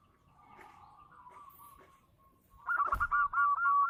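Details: Singing local zebra dove known for a big voice: after a faint, quiet start, a loud run of rapid bubbling coos rolls on to the end, broken by a sharp click.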